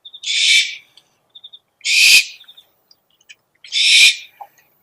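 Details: Owl lure call: three breathy, rasping screeches about two seconds apart, with scattered short high chirps in the pauses.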